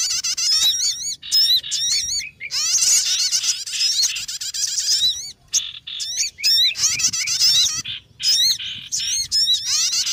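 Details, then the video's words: Lure for trapping sogon birds: an almost unbroken, high-pitched squeaky twittering of many hooked, whistled notes, with short breaks every two seconds or so. "MP3 Pikat Sogon Paling Ampuh lansung Sambar"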